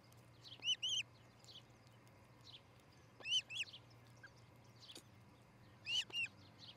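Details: Osprey pair at their nest in Charlo, Montana, recorded by a nest camera on 13 July 2018 around 6 a.m.; short, high, whistled chirps come in pairs, three bursts roughly every two and a half seconds, over a steady low hum.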